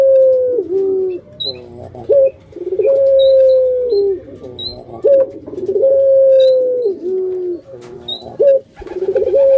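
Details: Pet puter dove kept by hobbyists, pelung-style coo: long steady hollow notes held about a second, each sliding down to a lower, rougher note, with short rising hoots between, repeated roughly every three seconds.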